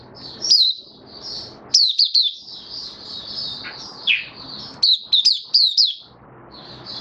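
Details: Opening song of a caged white-eye, 18 May 2022, after regular deworming and supplements: bursts of sharp, high, downslurred whistles in quick clusters, mixed with sustained thin twittering and a lower buzzy note, over a quiet background.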